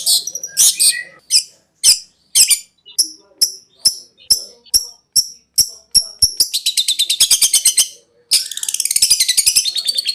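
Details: Long-tailed shrike master song for training birds, described as konslet style: a run of sharp, descending high chips about every third of a second, then a rapid buzzy stuttering trill and a dense, scratchy chattering burst.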